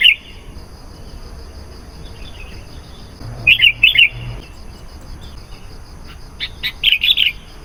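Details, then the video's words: Sooty-headed bulbul lure sounds for attracting wild bulbuls: scattered short, bright chirped notes in small clusters, with a brief low thump partway through and quiet hiss between. "SUARA BURUNG KUTILANG GACOR. AMPUH MEMANGGIL KUTILANG LIAR.."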